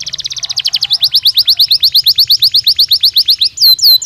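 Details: Stimulus song of a Belgian canary for singing training: a rapid run of sharp down-slurred notes, speeding up then steadying at about three per second, over a faint low pulsing background and a final rising whistle.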